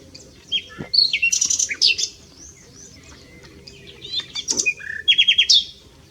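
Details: Nightingale song recorded on a trip to S'Albufera, a quick run of sharp chirps and fast repeated notes, then a dry rattle and a clear whistled ending, over faint background hum.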